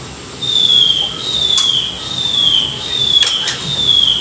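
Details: Chinese hwamei during a morning song-training session for newly caught wild birds: a clear high whistle, gently falling, repeated about five times at steady intervals, with a few sharp clicks behind.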